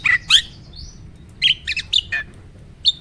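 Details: Starling heard as a training song to stir other birds: short, separated chirps and sharp double notes with a brief rising whistle, spaced by quiet gaps, over a soft low background hum.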